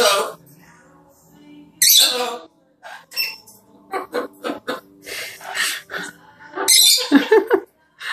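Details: Pet macaw talking: harsh, raspy broadband bursts and speech-like syllables come in uneven phrases, separated by short pauses, with one loud squawk near two seconds and another near seven seconds.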